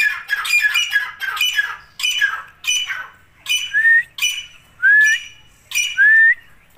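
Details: Grey francolin chicks, separated for warmth in winter, call while eating live food: clusters of rapid harsh chirps, then several clear rising whistles repeated about once a second.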